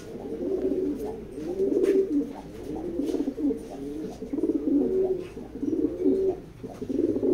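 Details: Several racing pigeons coo together in low, bubbling, rolling phrases repeated roughly every second or two, with occasional clicks and wing-like rustles between them.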